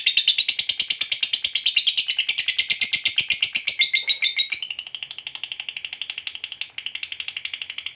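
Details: Long 'ngekek panjang' trill from a fighter lovebird, played to prompt other lovebirds to trill quickly. A fast, piercing, buzzy chatter repeats steadily for eight seconds and softens slightly toward the end.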